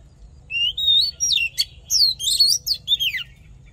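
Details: Oriental magpie-robin fighting song meant to stir males into form: a steady run of loud, clear, rising and falling whistled notes and rapid slurs, closely spaced over nearly four seconds.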